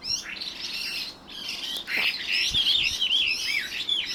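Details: Two Chinese hwamei in the evening, one pouring out a loud, continuous run of clear, wavering, whistled phrases that rise and fall without pause.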